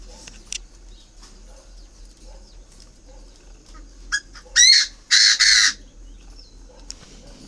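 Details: A tame hand-raised captive Chinese francolin near Ba Vì, Hanoi, crowing in October in winter while awaiting a mate, gives two or three loud, harsh, grating notes in a quick burst, with faint chips and background hiss.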